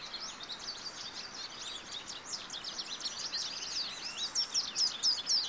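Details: High, fast twittering song of an American goldfinch, nearly four notes per second, jumbled chips and quick slurs, ending with several thin, clear whistled notes above a low steady hiss.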